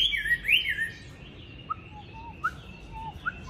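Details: Tame, good-fighting Chinese hwamei from Hanoi. A loud run of twisting whistled notes opens the phrase, then softer, sparse slurred whistles follow at uneven intervals with short pauses between.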